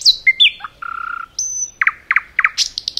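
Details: Forest nightingale song: high descending whistles, a low buzzy trill, a long pure high whistle, then a series of loud rich chooks and short high repeated notes, faint low background hum.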